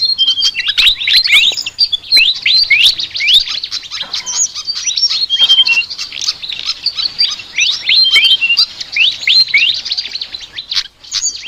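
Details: Flycatcher song: fast, high-pitched twitters and steep downslurred chirps in lively irregular phrases, with occasional short whistled notes.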